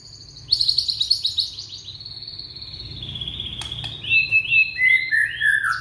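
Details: Young white-rumped shama from Indonesia, meant to coax non-singing shamas into song, delivers a rapid run of high chirps that settles into a long thin whistle, then descending slurred notes repeated several times.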